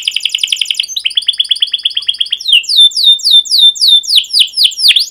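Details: Canary rolling song for training young birds: a rapid buzzy trill, a run of repeated staccato notes, then bold downward-sweeping chirps at a slower, steady pace.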